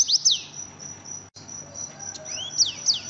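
An Oriental white-eye gives quick, thin high-pitched sweeping notes in short bursts over a steady, shrill insect-like hiss.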